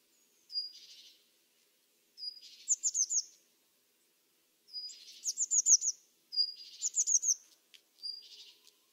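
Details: Eurasian blue tit calling: thin high notes at the start of each phrase, followed by a scolding, buzzy churr or a rapid run of three to five bright descending notes; phrases come in bursts about every one to two seconds against a quiet background.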